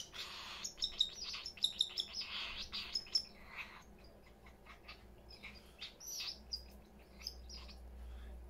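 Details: Many parrots in a house give a busy run of short, high chirps and squeaks, dense in the first half and then more scattered, with overlapping callers.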